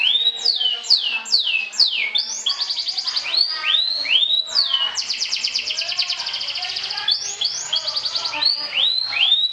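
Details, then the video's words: Champion kenari sobek canary trilling to provoke and overcome rivals: repeated downslurred whistles, then long rapid buzzy trills, then rising swept notes, bright and high, continuous. "SUARA KENARI SOBEK SOBEK JUARA NGETRIL TAKLUKAN LAWAN, PANCING EMOSI!!!"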